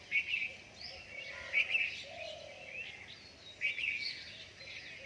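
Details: After rain at dawn, birds repeat brief, sharp, high chirping phrases about every two seconds, with overlapping softer twitters and a faint lower whistle in the middle, against a steady hiss.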